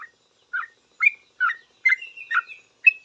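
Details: Sooty-headed bulbul responding to another bulbul, a few spaced bubbly notes about half a second apart, each a short warbled chirp, ending in a quicker cluster.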